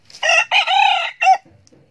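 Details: Young male red junglefowl kept as a decoy bird, crowing often: a loud, hoarse crow of about one second in three or four bursts, a short opening note, a long drawn middle, then a clipped final note, followed by faint background noise.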